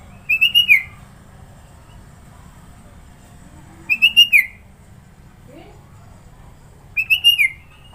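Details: A sooty-headed bulbul from Sidoarjo, East Java, delivers a varied song. Three phrases of four to five rapid, bubbly whistled notes ending in a slight downward slur are spaced about three and a half seconds apart.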